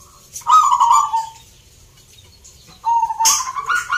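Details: Zebra doves competing in song in Salatiga, Central Java: a warbling coo, a quiet gap, then a second coo phrase that rises slightly, with a sharp click between.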